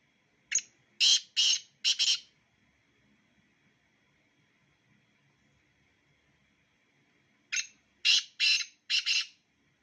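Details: Black francolin, one of two birds, gives a harsh grating call of four quick rasping notes, repeated after a silence of about five seconds, with a faint steady hum behind.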